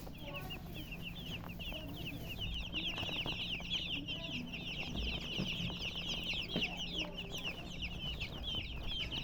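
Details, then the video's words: Chicks chirping, sparse at first, then a dense overlapping chorus of shrill, falling peeps from about two seconds on, roughly two notes a second per bird, against a low steady hum. "MURGI Baby "Chicks Chirping" Sound"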